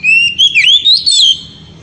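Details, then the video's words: Very loud, clear whistling from an oriental magpie-robin in ngeriwik style, aimed at exciting the female: a continuous string of bright, slurred, rising and falling notes that fades out near the end. "KACER NGERIWIK HEBAT SEKALI BIKIN BETINA NGEPLONG"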